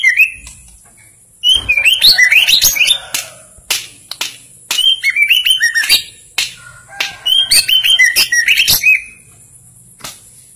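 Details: Melodious song of a Simeulue white-rumped shama: three bursts of rapid, high whistled and twittering phrases, each about two seconds long, separated by pauses and scattered loud clicks.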